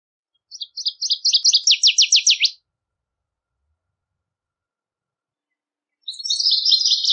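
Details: Wild Northern Waterthrush singing in nature: a loud, ringing burst of sharp, rapid notes that speeds up into a fast descending trill, followed after a pause by a second quick, chattering phrase.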